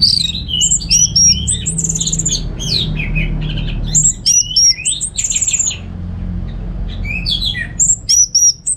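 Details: Caged orange-headed thrush kept at home in Singaraja, North Bali, used as a lure and master song for training other birds. It gives a rapid, varied stream of whistled and chattering phrases, bursts every few seconds with brief pauses, over a low hum.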